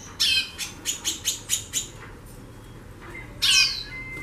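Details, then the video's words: Talkative female White-bellied seedeater: a scratchy falling note then a steady run of seven dry chips, a short thin tone, and another loud harsh descending sweep ending in a faint whistle. "FÊMEA DE CHORÃO XAXANDO MUITO"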